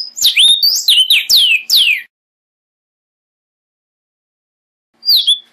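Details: Vermilion cardinal singing one fast phrase of around eight bright, slurred whistles that swoop downward. After a few seconds of silence, a single short whistled note follows.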